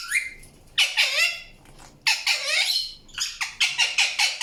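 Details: Indian ringneck parakeet giving loud, harsh, broadband squawks in bursts, ending in a quick run of five or six clipped screeches, within a quiet indoor setting.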